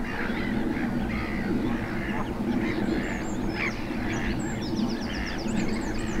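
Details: Greylag geese with young in Gloucestershire's Cotswold Water Park, 4 May 2022. Steady series of coarse honks and cackles from several birds, with thin high chirps from another bird near the end.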